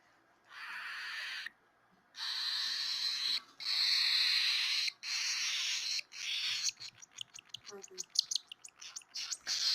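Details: Hand-fed baby albino cockatiel crying from hunger: a series of long harsh hissing rasps with brief gaps, breaking into rapid choppy pulses toward the end, with faint human voice in the background.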